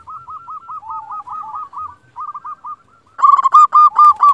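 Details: Local zebra dove, used to provoke other zebra doves into calling back, starts with a soft, wavering trill of short coos, then bursts into loud, evenly spaced bubbling coos.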